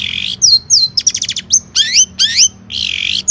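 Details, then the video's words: Long-tailed shrike song, 'gacor' with rich 'isian' fill. A harsh buzzy note leads into clear slurred whistles, a quick stutter of five ticking notes, then upswept whistles and buzzy phrases. "Burung Cendet Gacor isian mewah"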